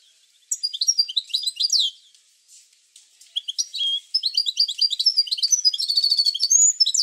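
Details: Goldfinch song intended to trigger goldfinches into song, with quick high twitters and slurred notes, a short pause, then an extended, rapid, tinkling run growing louder toward the end.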